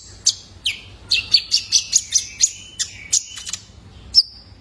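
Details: Young male Brown-throated Sunbird, used to train cage birds: a run of about a dozen bright, high chips at a fast, even pace, ending in a short sustained whistle.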